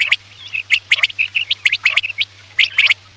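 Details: Quail calling, used as a lure for night hunting: quick, high chirps and short whistled notes, tightly packed and uneven, with no other sounds.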